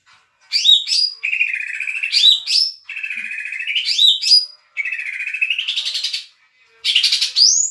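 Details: Leafbird in full, lively song, its material said to include Doraemon-style phrases: loud, varied high phrases with rising and falling whistled sweeps and rapid buzzy trills, broken by short pauses, about two seconds each.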